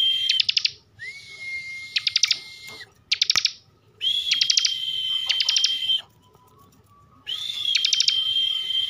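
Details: Kept bar-winged prinia from Tegal, Central Java, giving bren-style song: rapid clicking bursts alternating with long even whistles at two pitches, each phrase lasting one to two seconds, with short silent gaps.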